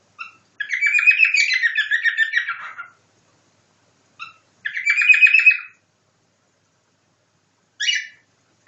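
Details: Cockatiel copying nightingale song delivers a long, warbling, buzzy trilled phrase lasting over two seconds, a shorter similar phrase after a pause, then a sharp final chirp.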